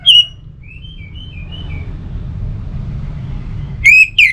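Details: Orange-headed thrush whistling, used as a lure to get a kept bird singing: a sharp opening note, a soft run of quieter warbled notes, then two loud rising whistles over a low background hum.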